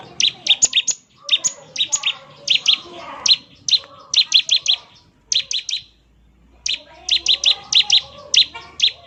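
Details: Bar-winged prinia singing energetically in the ngebren manner, with rapid groups of piercing chirps in stuttering runs and one longer silence midway, softer murmuring sounds in the background.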